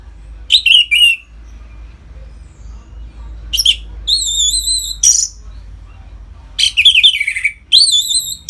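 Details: Captive Orange-headed thrush in ngeplong song meant to stimulate other caged birds: scattered loud whistled and buzzy phrases, including a series of level wavering whistles, between quiet gaps, with steady low hum.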